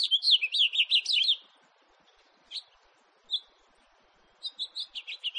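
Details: House finch, recorded in 2018: a fast, high warbled phrase of slurred rising and falling notes for over a second, then a pause and a few scattered chirps before another brisk run of notes.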